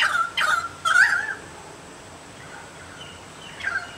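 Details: A currawong, probably, gives three loud, ringing, slightly gurgling notes in quick succession, calling out to others nearby from a banksia tree in a front yard in Chelsea, Victoria, Australia; quieter answering notes follow after a pause.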